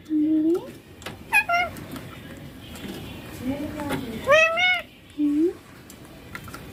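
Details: Young pet Indian ringneck parakeet mimicking speech, saying papa and mummy; short nasal word-like calls, one strong arched harmonic phrase near the middle, low room noise between utterances.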